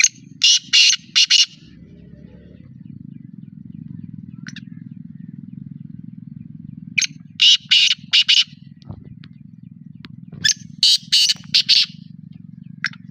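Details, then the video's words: Black francolin recorded in Pakistan, calling three times: each phrase is a quick run of three to five harsh, rasping notes, with a continuous low droning hum underneath. "kala teetar ki awaz"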